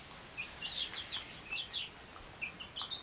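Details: Chickens in a safe, dry hen house where four mother hens rest with their offspring, some sleeping, some preening; short high-pitched chick peeps come in scattered bursts, a few notes at a time, over a soft background hiss.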